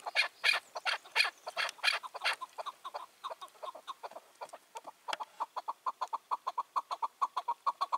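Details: Chukar partridge, wild and about five to six years old, dominant over its range, heard on a June 2023 evening: several loud rasping calls at the start, then an even series of quick clucking chuk notes.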